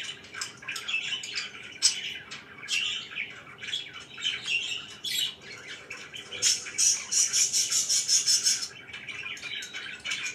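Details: Pet budgerigars chirping in the morning indoors: dense overlapping chatter of warbles, squawks and chirps, with a bright buzzy trilled stretch near the end.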